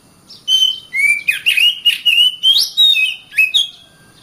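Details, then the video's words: Kacer, the oriental magpie-robin, in full song: a continuous run of loud whistled notes with quick rising and falling slurs, broken by harsh chattering elements, about four seconds long. "Kacer Bird Singing"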